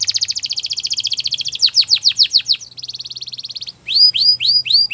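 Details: A female Belgian canary sings in the morning: a rapid, high trill, then a run of steep descending whistles, a buzzy roll, and repeated bright upslurred notes over a faint low hum.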